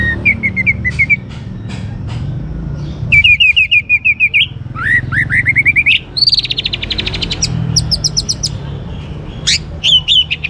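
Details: Young orange-headed thrush from northern Bali, a kept songbird singing to make other birds sing: long varied song of repeated whistled notes, rising slurs and fast high trills, mimic-like and continuous, over low hum.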